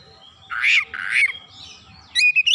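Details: Oriental magpie-robin singing as a lure recording to set other birds singing: two harsh, buzzy squawked notes, a soft slurred phrase, then a quick run of bright whistled notes climbing in pitch.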